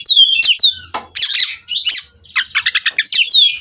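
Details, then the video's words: Oriental magpie-robin from a captive breeding farm in continuous 'ngerol' song: sweeping whistles, harsh scratchy bursts, then a quick series of clipped rattling notes ending in a clear descending whistle. "Kacer Ini Ngerol Tanpa Henti"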